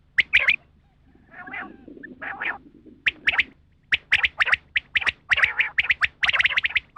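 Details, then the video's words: A rain quail gives quick runs of sharp, clipped notes, two to four at a time, with a harsher, rasping stretch between bursts. "Batair sound/batair ki awaz"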